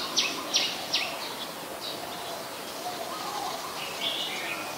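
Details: Common tailorbird, adult, at Ubon Ratchathani, Thailand, 9 February 2023: three loud, sharp, downslurred notes roughly 0.4 seconds apart, then fainter softer notes trailing off against constant rural background noise.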